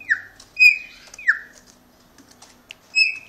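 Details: Pet Chopi blackbird in Brazil that cannot see its owner without responding: repeated clear whistles sliding downward, three in quick succession, then a pause and a final steady note, over a quiet hum.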